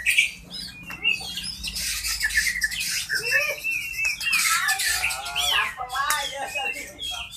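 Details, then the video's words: White-rumped shama of the Medan type, in a therapy recording meant for shamas that are singing or off form: dense, overlapping whistles, rising sweeps and harsh chattering notes fill the clip almost without pause. "Terapi Murai Batu Medan, Cocok buat murai yang lagi bunyi dan drop"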